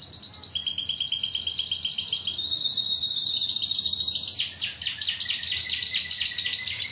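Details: Song of a Timbrado canary recorded in Greece in 2009: bright rolling trills that step between pitch levels, then a rapid run of looping, dipping notes at about four per second, loud and continuous.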